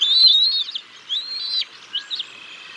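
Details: During a chick feeding at the Decorah North bald eagle nest, 6 May 2022: a long high whistled squeal followed by shorter drooping squeals and a faint trailing note.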